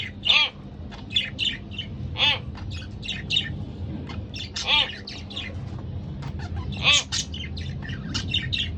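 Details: Couple of pet budgerigars trading chatter: sharp, ringing contact chirps repeated every second or two among softer scratchy twitters, with a faint hum behind.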